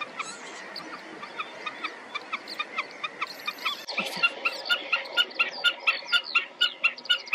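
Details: Black-tailed godwits on a moor in early May, parents guarding newly hatched chicks, give sharp, nasal calls about twice a second; more birds join halfway and the calling grows busier and overlapping.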